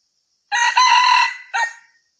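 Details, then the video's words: Red junglefowl crow used as a hunting lure: one hoarse, harmonic crow, a long, level middle note ending in a short, clipped final syllable; nothing else heard. "SUARA AYAM HUTAN MERAH"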